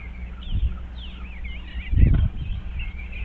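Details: Eastern bluebirds checking out a birdhouse on 25 February 2023. Faint, soft warbled notes waver through the clip over a steady low hum, with a dull thump near the middle.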